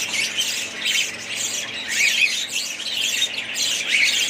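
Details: Several budgies squawk and chirp at once. Harsh squeaks mix with warbled, rising whistles in a dense, unbroken high-pitched babble.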